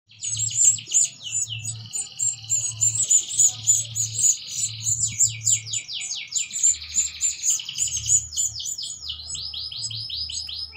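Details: Canary singing during mating while feeding its chicks: long rapid song of high sweeping notes, rolling trills and buzzy stretches running almost without pause, over a faint low hum.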